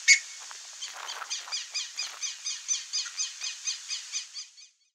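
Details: A pair of buff-necked ibises (Theristicus caudatus) grazing and calling: a sharp opening note, then a steady run of about fourteen harsh, metallic cackles, roughly four per second, fading at the end.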